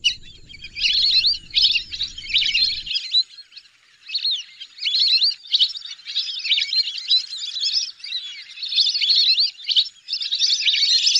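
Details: Repeated bursts of shrill whistled twittering from whistling ducks, grouped chatter separated by short dips, with a low rumble only during the first three seconds.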